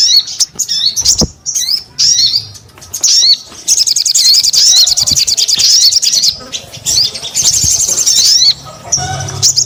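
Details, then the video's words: Sogon bird singing briskly in high-pitched bursts of sharp chirps and rapid trills, with short pauses between phrases and occasional low thumps. "SUARA SOGON GACOR"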